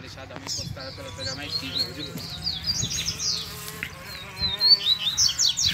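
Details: Wild double-collared seedeaters in the bush, where a calling chick also turned up; quick high twittering notes and short sweeping whistles, with a faint buzzing hum and low background noise.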